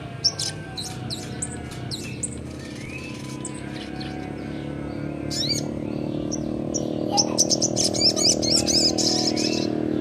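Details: Young Crimson Sunbird (sogon) singing a continuous ngleper-style song, used to prompt lazy or untrained birds to sing: sharp, high, rapid chirps and buzzy trills, densest at the end, over a steady low hum.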